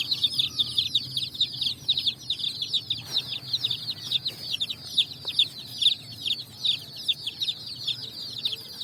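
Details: Many colored chicks foraging on sand in evening sun after leaving cardboard boxes; continuous chorus of high, piercing peeps, each briefly falling in pitch, overlapping steadily, with a soft low hum and one click.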